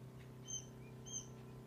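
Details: Two high, thin peeps from one-day-old quail chicks, with a fainter lower chirp between them, over a low humming background.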